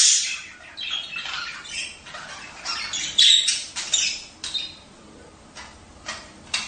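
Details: Budgerigars calling for breeding stimulation: steady scratchy warbling chatter with occasional louder harsh squawks and a brief whistled note, fading toward the end.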